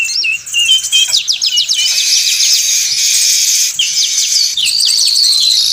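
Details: Noisy weaver chorus used to lure birds: clusters of fast metallic chirps alternate with a continuous high buzzy sizzle, many birds overlapping.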